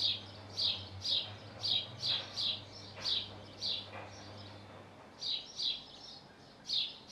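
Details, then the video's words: In Hull, UK, a male house sparrow calls from the roof by his nest, giving bright single chirps in loose clusters with short pauses between, over a low steady hum. "House Sparrow calling from roof by his nest"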